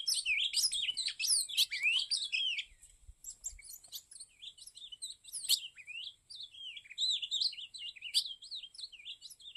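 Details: An ultramarine grosbeak in Cariri delivers quick sliding whistled phrases, with sharp clicking noises scattered through and a quieter stretch midway.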